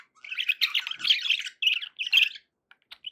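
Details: A budgerigar warbles a rapid, squeaky chatter for about two seconds, then a few faint isolated clicks near the end.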